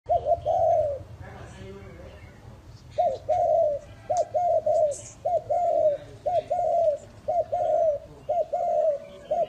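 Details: Spotted dove used as a lure bird, kept at a breeding farm in Ba Vi, Hanoi, Vietnam, giving a long run of repeated short coos in quick phrases, about one per second, with faint chirps and light room noise.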